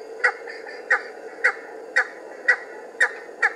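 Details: Cheer pheasant (Catreus wallichii) calling as it comes out of cover: short, harsh, clipped notes, seven in under four seconds at a steady pace, over a soft background hiss.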